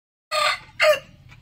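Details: Rooster gives a brief, hoarse crow in two loud, raspy syllables, the second shorter, trailing off into a faint echo-like note; morning crowing.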